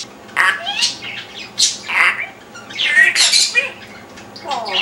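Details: Indoors, a pet parrot perched and talking nonsense: dense run of harsh, voice-like squawks and chattering syllables, loud and nearly continuous across the recording with brief gaps between phrases.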